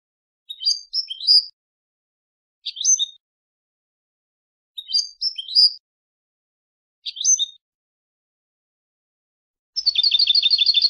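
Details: Palestinian European goldfinch delivering brief twittering song bursts of quick high chirps spaced about two seconds apart, with a dense, rapid buzzy trill starting near the end.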